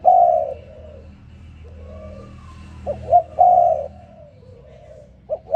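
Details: Morning call of a spotted dove: a loud, drawn-out low coo, quieter coos, then two clipped rising notes leading into another strong sustained coo, with faint background hum.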